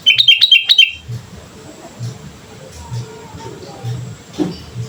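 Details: Vigorous sooty-headed bulbul song, used as a training lure: one quick rollicking phrase of four bright, bouncing chirps in under a second, then a faint low rumbling background.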